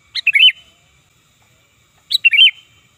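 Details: Sooty-headed bulbul calling as a lure: two matching loud phrases nearly two seconds apart, each a high clipped opening note followed by a bubbly, slurred warble that drops at the end.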